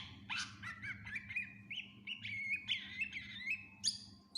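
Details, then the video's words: Greater green leafbird (cucak ijo) gacor with full isian, recorded as tutor song: a flowing series of liquid whistled notes rising and falling, ending in a few sharp high chirps, faint low hum behind. "Cucak Ijo gacor FULL Isian cocok buat masteran burung læn"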